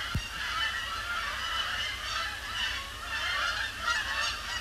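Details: Incoming flock of Canada Geese circling before landing on Sapsucker Woods Pond, Cornell Lab of Ornithology, on a cloudy Thursday evening after sunset, October 2017; overlapping nasal honks rise and fall in waves, a brief thud at the start.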